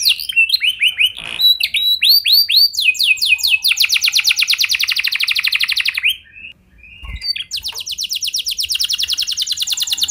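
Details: Canary song meant to draw other canaries into singing: curved whistled notes, then a long fast trill, a short pause with a click, and another rapid trill.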